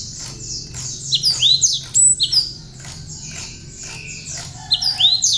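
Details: Tame cinereous tit, raised by hand and singing with learned bar-winged prinia (ciblek) material for training other birds: loud, high sliding whistles in clusters, a quieter middle stretch, then another burst of sweeping notes.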